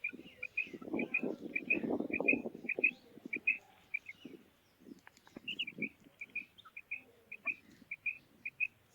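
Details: Female quail calling: short, bright paired and tripled notes repeated steadily through the recording, over low rustling and scraping sounds that are loud in the first half.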